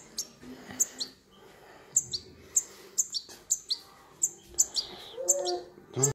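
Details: Baby European goldfinch in human care giving thin, piercing high chirps, often in pairs, spaced irregularly over six seconds, with soft rustling and a faint low hum underneath.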